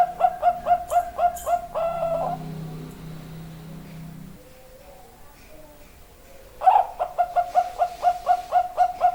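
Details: Zebra dove (perkutut) singing continuously: rapid runs of short, soft cooing notes at a steady mid pitch, about two per second, opening and closing the passage with a quieter gap and low hum between.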